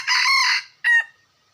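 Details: Junglefowl cock crowing loudly: a long, harsh, buzzy note with rich harmonics lasting about half a second, a short gap, then a clipped final note that trails off into quiet.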